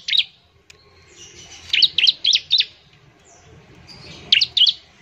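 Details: Bar-winged prinia, used to encourage other birds to sing quickly: short groups of two to four sharp, high chirps separated by quiet gaps.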